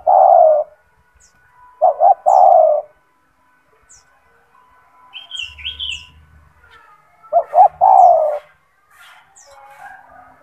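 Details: Kept gacor spotted dove (tekukur), loud and strong-voiced, used as a master for other doves. Three coo phrases, the later two each a double note then a long coo, separated by quiet gaps with faint high chirps.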